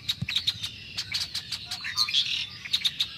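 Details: A big spring flock of Red-winged Blackbirds in early March 2010 chatters and sings, with overlapping sharp, high chips and short buzzy notes tumbling together in quick, irregular bursts.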